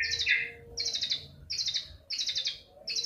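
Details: Long-tailed shrike lure sound to provoke singing: harsh, rattling bursts of chatter repeated about every half second, each a tight cluster of scratchy notes.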